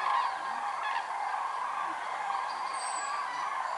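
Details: Common cranes massed at Lac du Der-Chantecoq, Champagne-Ardenne, during November 2014 migration, a record of more than 206,000 birds; thick continuous trumpeting chorus, one loud call opening, and a thin high whistle briefly above.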